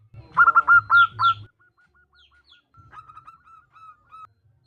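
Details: Female zebra dove calling the male, local bird: an opening burst of loud rapid cooing notes, then a quieter trailing series of short, evenly spaced notes.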